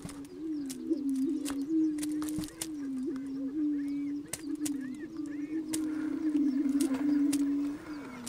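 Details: Prairie chickens on a spring lek performing their strutting mating display to attract females, recorded from a car used as a blind: a steady overlapping low hooting drone with wavering pitch, broken by occasional sharp clicks and faint higher cackles.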